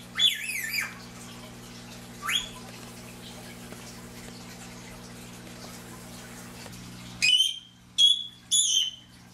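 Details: An 11-month-old female Indian ringneck parakeet, a talking bird, gives shrill, squeaky mimicked syllables around "give me a kiss" and "thank you": a burst at the start, one mid-way and three quick rising notes at the end, over a steady appliance hum.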